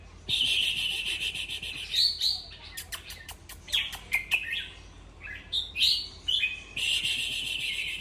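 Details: Red-whiskered bulbul song used to get other bulbuls excited, opening with a dense buzzy chatter, then a burst of sharp clicks and short whistled phrases, before the busy chattering returns.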